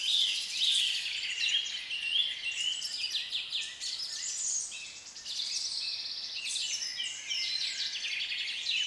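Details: Several African lovebirds in assorted colours make a steady, dense chorus of shrill, squeaky chirps and scratchy high notes, overlapping constantly without pause.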